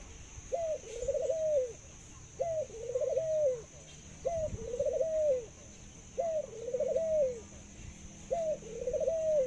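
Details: A pet Thai dove known for laughing and long cooing gives steady repeated phrases: a brief upward hoot, then a rolling, quavering trill curving down, roughly every two seconds, in a quiet setting.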